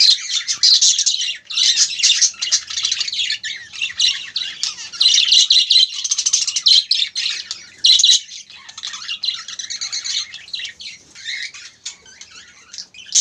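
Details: Caged spangle budgerigars (Melopsittacus undulatus) during mating chatter in a dense, high warble of rapid chirps and scratchy notes.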